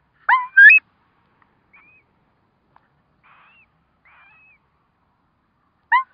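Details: Curlew during the hatching of four chicks: a loud pair of sharp rising yelps, then quiet soft high piping notes, then another abrupt yelp at the end.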